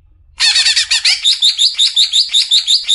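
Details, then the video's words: Greater green leafbird besetan song for masteran training of caged birds: after a quiet start, dense scratchy notes give way to a regular series of bright, sharp chips, each higher and cleaner, repeated about five times per second. "Besetan suara burung CUCAK IJO"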